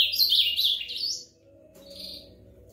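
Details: Ultramarine grosbeak song, a fast sweet warble of high slurred notes that tumble up and down for over a second, then stop, followed by one faint short note and a steady low background hum.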